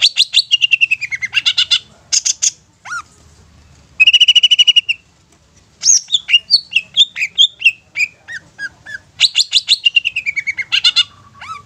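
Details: Long-tailed shrike used to lure young or wild shrikes, giving a varied loud sequence: rapid descending chatter trills, harsh buzzy bursts, a short gap, then quick sharp whistled notes and another falling chatter, in a quiet setting.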